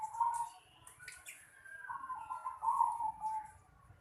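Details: Zebra dove in a house yard, giving soft, rolling coos near one pitch in two phrases, the second longer and fuller, with faint chirps from other small birds and low background rumble.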